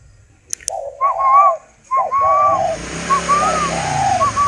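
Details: Golden-necklace spotted dove from a breeder, uttering two loud, low, hoarse coos with short pickup notes and a higher whistle over them; a passing vehicle's rumble then rises and fills the rest.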